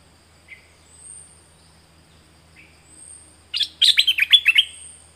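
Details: Southern Thailand thick-billed flowerpecker decoy recording: faint thin high whistles and soft chips, then a loud one-and-a-half-second burst of quick, sharp, descending chip notes at the end.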